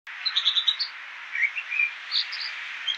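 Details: American dipper, also called water ouzel, singing: a run of high, bright repeated notes followed by lower warbled phrases and short trills, over a steady background hiss of road noise that was reduced.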